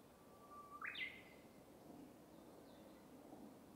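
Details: Japanese bush warbler (uguisu) in bamboo forest singing one phrase: a thin, level whistle that suddenly leaps into a loud, bright, upward-stepping ending, with a steady hiss of background noise throughout.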